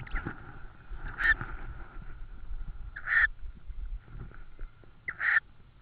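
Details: Tawny owl at the nest with prey in Estonia on 6 May 2013 in the evening; three harsh, raspy calls come about every two seconds over low rustling.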